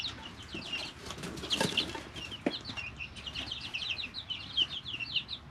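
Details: Three-week-old chicks in a brooder, natural sound; a flurry of wing flapping or scuffling near the start, then steady high, repeated chirping from several chicks over faint background hum.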